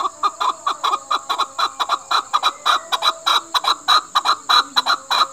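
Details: Chukar, Pakistan's national bird, calling loudly in a rapid, insistent run of harsh chuck notes, roughly one or two per second at first and quickening, with a constant thin high whine behind.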